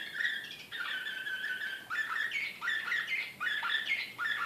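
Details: Slavujar-style canary from Belgrade, 2014, in an excited state. Loud, sweeping downward-curving whistles repeat about once a second over a continuous chattering background of song.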